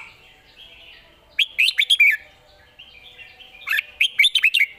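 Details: Caged red-whiskered bulbul singing a lively, varied phrase: two bursts of quick warbled, slurred notes around mid-high pitch, the first near 1.4 seconds and the second near 3.7 seconds, over a soft background hum.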